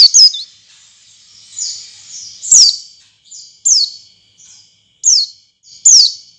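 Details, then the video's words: Stimulating song of the oriental white-eye, intended to draw other white-eyes into song: bright, high falling whistles repeated about once a second, with quieter thin notes slotted between them. "suara pancingan pleci agar pleci ngalas dan pleci buka paruh buka paruh"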